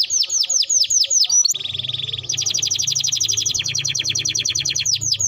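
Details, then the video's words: Timbrado canary in full song, starting with repeated falling slurred whistles, then a steady lower rolling trill, then a brighter fast rattle at higher pitch, continuous and rhythmic over faint low hum. "Canary Bird Singing Timbrado canary singing beautiful melody"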